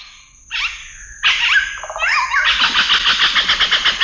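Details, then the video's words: Scarlet-rumped cacique giving varied liquid whistles and slurred notes, followed by a fast series of repeated chattering notes at about three or four per second, with a thin steady high tone in the background. "The sound of a scarlet-rumped cacique"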